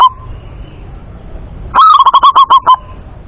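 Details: Local male zebra dove (perkutut) from Indonesia with a clear voice: one short cooing note, a pause, then a rapid run of about nine soft, evenly spaced cooing notes that ends in a longer final note. The background is quiet.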